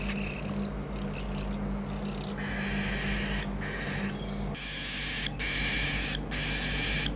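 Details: Cockatiels calling at feeding time: harsh, raspy bursts of noisy sound with a low hum behind.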